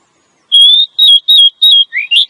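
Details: A female Oriental magpie-robin gives calls used to stimulate a male into song. Four level whistles, each slightly falling, are followed by two short upslurred notes.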